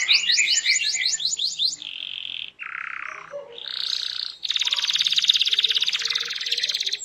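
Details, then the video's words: Canary in full, continuous song, played to make other canaries answer: quick series of downward-sweeping notes, then several short rolling tours at different pitches, closing with a long, dense, rattling high trill. "Apapun Burung Kenari nya, BAKAL RESPON IKUT BUNYI dengar Suara Kenari GACOR INI"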